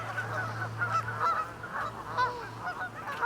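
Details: Large flock of Canada geese resting on a pond during the northward migration toward nesting grounds, ducks nearby; overlapping honks with rising and falling inflections, calling continuously over a low steady hum.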